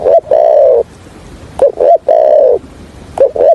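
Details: Decoy spotted dove used for trapping, hạp bổi voice: a short hoot leads into a long, steady, mellow coo, repeated about every one and a half seconds in a stuttering pattern.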